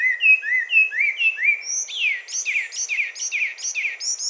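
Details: Song of a Carmiol's tanager: clear upslurred whistles in a short series, then a switch to repeated steep, descending slurred phrases at a lively, uneven pace.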